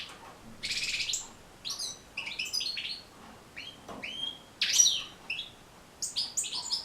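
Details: Training song of a European goldfinch, played to teach goldfinches to sing; bursts of tinkling twitters and buzzy trills alternate with short silences, one loud rasping phrase near the middle.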